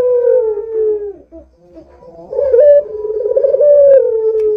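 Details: A vocal Barbary dove used to prompt other doves to call: a soft, descending coo fades out, then after a pause a rolling, vibrating coo rises and stretches into a long, gently falling note.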